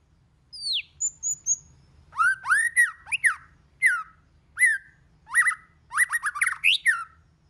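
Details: White-rumped shama with a many-voiced song used to provoke singing: a falling whistle and soft high notes, then spaced rising, arched whistled phrases growing into a fast jumbled flourish.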